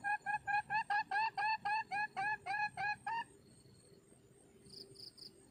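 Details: Red junglefowl hen calling for a mate, giving a series of about twelve short, evenly spaced, slightly rising harmonic notes, roughly two each second. Then quiet with a faint steady hum and brief high thin pips.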